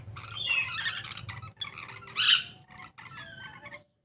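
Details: A pair of Taliabu lories give harsh, grating squawks and chattering screeches in quick bursts over about four seconds; one shrill, louder screech stands out near the middle. A low hum runs underneath.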